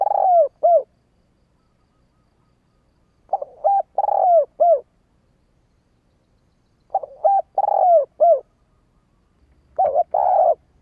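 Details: Captive female spotted dove calling to lure males for trapping, a Vietnamese style called gáy gọi: low mellow coo phrases of short notes, a drawn-out purring note and a closing coo, repeated about every three and a half seconds.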